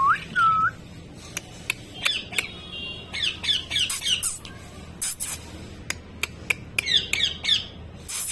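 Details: Talking parrot saying "mitthu": a clear whistled note, then a string of short squawks and chattering syllables, with sharp clicks and knocks between them.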